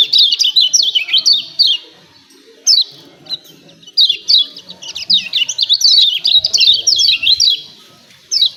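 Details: Lemon-bellied white-eye giving sharp 'ciak ciak' calls, a recording for getting birds to sing. Several bursts of quick, high, slurred chirps, repeated after short silences.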